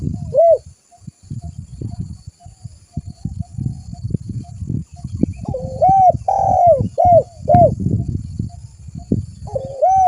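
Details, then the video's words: Spotted dove lure recording: a single coo, then several seconds of low rumbling noise with a faint repeated note, followed by a burst of arched coos including one long drawn note near the end. "Suara burung tekukur gacor buat Pikatan"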